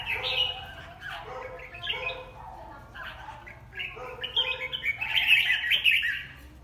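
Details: Red-whiskered bulbul in a singing competition: bright warbled chirps and short rising phrases, with a burst of quick high notes near the end, over repeated lower steady tones from another sound source.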